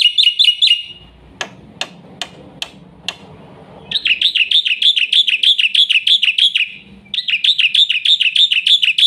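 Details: Black-winged myna giving a fast full song used to train young birds: rapid runs of uniform chirps near three per second, broken by a burst of harsh, clicking broadband notes and a short pause, then the chirp runs resume.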